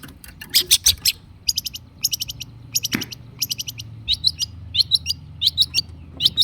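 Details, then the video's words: Long-tailed shrike singing in a loud, chattering lure recording meant to make silent caged shrikes respond: bursts of sharp, high chirps, then rapid paired ticking notes with short whistled accents, repeated in quick runs. "kicau cendet gacor pancingan cendet stres macet bunyi JADIKAN cendet NYAUT GACOR"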